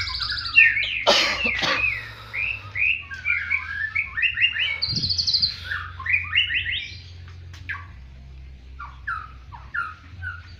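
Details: White-rumped shama singing in a prinia-like fighting style: a loud rattling clatter, then a long varied sequence of quick whistled and chattering phrases, tapering into separate sliding notes over low hum.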